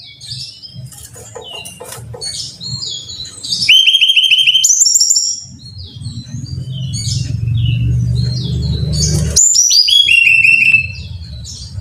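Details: Song of a brown-chested jungle flycatcher for caged-bird training: scattered high notes, a fast stepped trill near the middle and another cascading phrase later, over steady low background noise.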